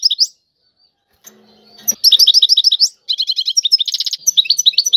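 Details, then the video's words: European goldfinch song in the tiwawati style: a short note, a near-silent gap with a faint low hum, then a burst of quick sweet twitters and a dry, buzzing rattle. "اعظم تغريد الحسون طيواواطي"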